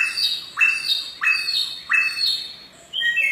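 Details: Samyong singing in the forest, giving a sharp rising note followed by a steady ringing tone, repeated about every 0.6 seconds, then a higher whistled phrase at the end.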